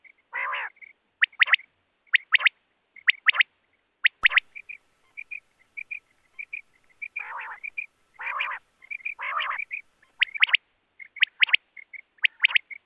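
Common quail giving sharp, liquid three-note 'wet-my-lips' phrases in quick bursts, with soft nasal growling notes between them and one sharp click.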